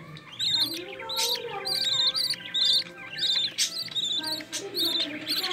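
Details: Green-line budgerigars in a nest, a mother feeding growing chicks, one chick carrying opaline: bursts of high chattering chirps with a faint tonal hum beneath, and brief human speech.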